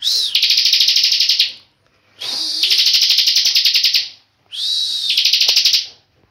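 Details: Tame caged bar-winged prinia singing continuously in the loud ngebren style: three bursts of rapid, buzzy, high trilling. Each burst is introduced by a short whistled note, and the bursts come about every two seconds with brief silences between.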